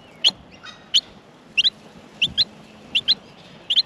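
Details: Australian miner chicks being fed in the nest, calling with thin, high chirps, mostly in paired notes spaced about two-thirds of a second apart, with faint low rustles.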